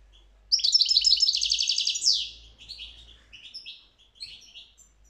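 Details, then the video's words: European goldfinch singing a rapid, high tinkling run of bright twittering notes, ending in a buzzy slur and a few scattered liquid chirps. "تغريد الحسون"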